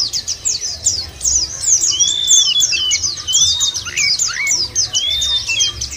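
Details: Chattering white-eye song serving as a lure for caged birds: fast, high twitters run continuously, broken by a few longer, smooth whistled slurs that rise or fall, with little background noise.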